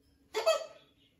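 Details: Blue-and-gold macaw at a parrot rescue sanctuary, settling into a new flock; a single short, harsh, broadband squawk with a faint steady hum behind it.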